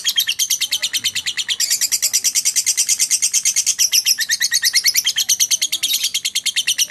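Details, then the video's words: Lovebird ngekek konslet: loud, dense, shrill chattering trill pouring out without a break, rapid even pulses growing brighter and busier after the first second and a half. "Burung lovebird ngekek konslet"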